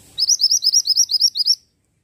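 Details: Actively singing pied bushchat delivering a fast string of about eleven sweet, high upslurred notes, each rising sharply, in a steady rhythm against near silence.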